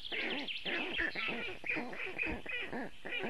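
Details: Storklets of the black stork in Latvia, calling for cooling on a very hot June 2018 afternoon at the nest: rapid, squealing calls with rising and falling harmonics, about two per second, with high chirps above them.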